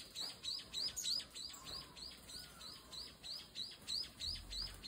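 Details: Ishigaki form of Brown-eared Bulbul while bathing: high, thin, upslurred chirps repeated quickly and steadily, roughly three per second, in pulsing bursts over quiet background.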